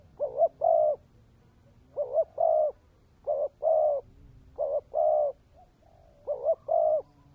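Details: Spotted dove used as a decoy, 'kèm dày' style: five mellow coo phrases, each a quick wavering double note and then a held coo, repeated about every one and a half seconds in a quiet setting.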